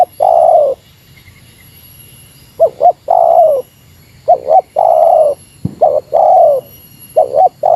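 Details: Spotted dove calling against a rival in Meratus style, a long purring coo, a pause, then phrases of two short coos and a longer rolling note, plus a brief click.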